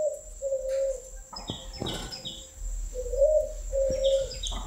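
A dove gives soft, low, mellow coos in two drawn-out phrases about three seconds apart, with thin high chirps from small birds in between.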